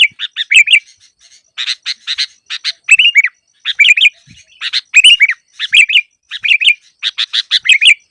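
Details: Lure recording of a Sooty-headed bulbul for trapping: rapid clusters of buzzy chirps mixed with liquid, slurred whistled notes, phrases coming every half second or so in a clean, quiet background.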